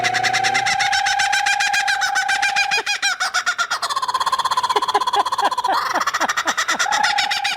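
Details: A Laughing Kookaburra, its territorial call prompted on command by a person rolling their R's, gives its raucous laugh: a rapid run of harsh, chuckling hoots that rise and tumble at about four notes a second, with human voices mixed in.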